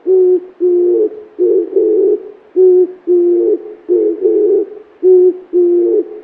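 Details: Oriental turtle dove, common in Korean parks and forests, coos low, thick and hoarse with a sad feel, easily mistaken for an owl or toad: four-note phrases of two paired deep coos, repeating about every two and a half seconds.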